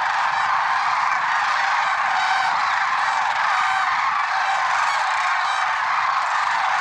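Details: Dawn gathering of lesser sandhill cranes at Merced National Wildlife Refuge, February 6, 2023, a seamless mass of overlapping rolling calls with faint higher rattles scattered throughout.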